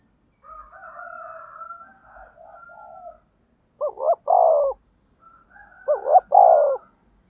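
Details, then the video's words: Spotted dove kept as a decoy to attract wild birds: soft, murmuring coos with a thin whistled overtone, then two loud phrases about two seconds apart, each a short hooked coo followed by a long, descending hoarse note. "Tiếng cu gáy thúc bổi"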